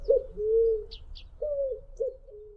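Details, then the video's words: A White-tipped Dove (juriti-pupu) in Brazil gives its song of low, hollow hoots: a short note, then a long drawn-out moan like blowing across a bottle, then further soft hoots, with faint high chips in the background. "canto da juriti-pupu"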